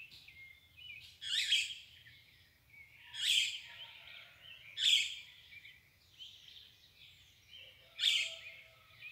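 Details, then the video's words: Birds at daybreak deliver a series of short, harsh, twittering phrases roughly every two seconds, with quieter warbling notes in the background and a low hum. "O canto das aves al amanhecer"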